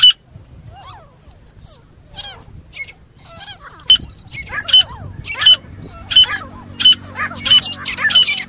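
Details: Grey francolin fighting call: soft, scattered slurred notes at first, then from midway a regular series of sharp, high, ringing notes roughly every 0.7 seconds, building in loudness.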